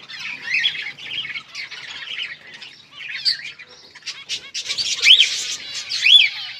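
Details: Zebra finches in a colony aviary setup with nests, recorded 15 October 2023, give nasal, buzzy beeps and chatter that overlap into a busy chorus.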